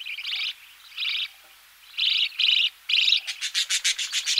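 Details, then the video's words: Budgerigar chicks in the nest, being fed, make grating chattering bursts followed by a rapid run of sharp, evenly spaced ticking pulses. "Budgerigar. CU Calls From Chicks Being Fed In Nest, Knocking Noise In B/G."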